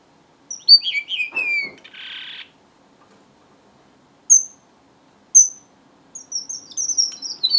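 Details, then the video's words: Singing strawberry finch: quick descending slurred whistles followed by a dry buzzy rasp, silence, two isolated high pips, then a rapid closing run of thin high whistles. "BENGALI ROJO - STRAWBERRY FINCH SINGING"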